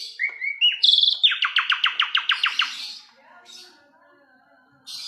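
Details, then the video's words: Asian pied starling song: brief whistled slurs lead into a rapid series of about a dozen loud, evenly spaced clipped notes, fading into quiet scratchy chatter. "KICAU JALAK SUREN MANTUL"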